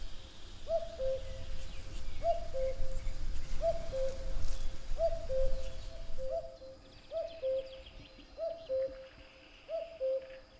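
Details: Common cuckoo singing its two-note cu-ckoo, the first note higher and the second lower, repeated about eight times at roughly one-and-a-half-second intervals over a steady low rumble of background noise.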